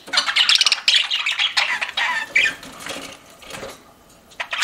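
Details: Chirping pet budgies: a run of rapid buzzy, ticking warble notes for about two seconds, then fading to near quiet before a final squeak.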